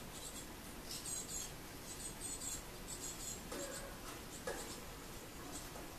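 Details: Young great tits keep returning to beg for food (8 June 2018), giving short, piercing high chirps in scattered clusters, with a soft low background murmur.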